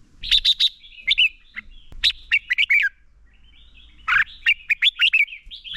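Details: Red-whiskered bulbul used as a lure bird, singing fighting song to train other birds: rapid clusters of sharp, bright chirps and slurred whistles, several phrases in a row with one short pause midway.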